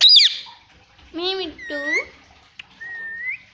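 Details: Caged Indian ringneck parrot mimicking speech, saying "mommy": a sharp squawk opens, then two drawn-out, wavering, nasal syllables, and finally a thin rising whistle.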